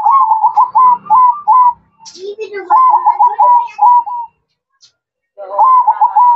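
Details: Night-time zebra dove song: clipped, rapidly repeated coo notes in runs, broken by a short rough lower sound and a silent pause before another run starts.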